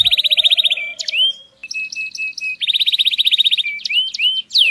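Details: Canary singing to motivate females toward mating: fast rolling trills alternating with a row of steady repeated whistled notes and rising-falling slurs, a faint low tone audible beneath.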